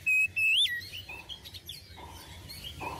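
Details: Oriental magpie-robin, a model singer for untrained magpie-robins, gives one strong steady whistle that rises then drops sharply, followed by faint twittering and low background sound.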